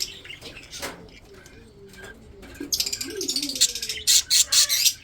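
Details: Budgerigars kept for breeding give scattered soft notes, then loud rapid chirps in quick pulsed bursts over the final two seconds.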